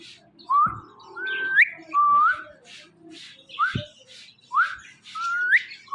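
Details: Talking Indian ringneck parakeet kept as a pet, repeating short upward-sweeping whistles about every second, some ending in a sharp rising flick, with faint clicks between.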